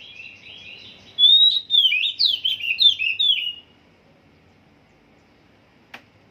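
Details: Oriental magpie-robin in song training: a soft twittering lead-in, then a loud burst of about eight slurred whistled phrases, rising and falling quickly for two seconds, followed by quiet and a single click.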